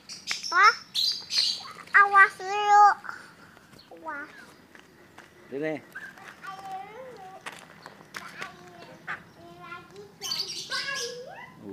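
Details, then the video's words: Tame white-vented myna, a yellow-eyed bird said to be able to talk, giving varied loud whistled and harmonic calls, some sharply rising or bending, in irregular bursts, with people talking and calling to it close by. "jalak kebo mata kuning asli-bisa jinak bisa ngomong"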